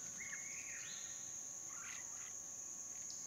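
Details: Female Asian fairy-bluebird at a small waterhole in a dry stream bed with Hair-crested Drongos in the dry season, Phnom Prich Wildlife Sanctuary, Mondulkiri, Cambodia, March 2016. It gives a liquid rising whistle, then shorter lower notes, over a high insect drone.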